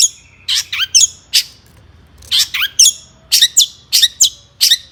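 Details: Long-tailed shrike singing excitedly to draw other shrikes into song: scratchy, upslurred notes in short clusters of two or three, separated by brief gaps, over a faint low hum.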